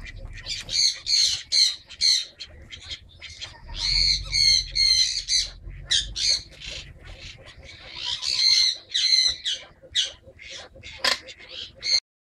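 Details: Captive Kenya crested guineafowl in a pet aviary in Penang, Malaysia, giving harsh, rattling squawks in quick, uneven bursts.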